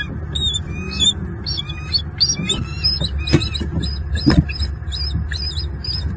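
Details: Wild bald eagle pair mating at dusk in their nest tree in southwest Florida, 26 November 2022, heard but unseen on a live nest cam. A long series of high, squeaky chirps repeats rapidly throughout, over constant low background rumble.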